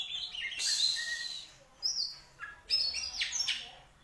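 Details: Caged contest-winning Oriental magpie-robin in daily routine, with crystal vocals; short high whistled and scratchy phrases over a noticeable hiss of background noise.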